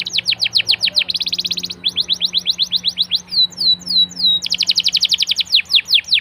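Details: Canary song played to get other canaries singing: fast series of sweeping whistled notes broken by short rapid rattling trills, with a pair of rising slurred notes midway, all high and continuous.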